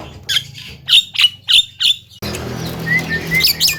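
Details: Javan myna, a talking mimic said to cough and laugh, giving five quick harsh chattering notes, then a pause before noisier background with a few thin whistles.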